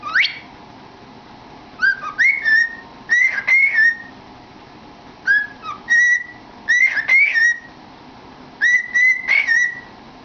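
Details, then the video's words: Pet cockatiel with its head in a cardboard tube, singing and chattering: bouncy whistled phrases of rising, level and dipping notes, repeated in groups with short pauses over ten seconds. "Funny Bird Singing in a Tube"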